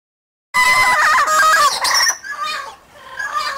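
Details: Free-flying trained Amazon parrots maintaining vocal contact with other Amazons alongside crows; a burst of loud, rich harmonic squawks with wavering pitch, then fainter, broken calls.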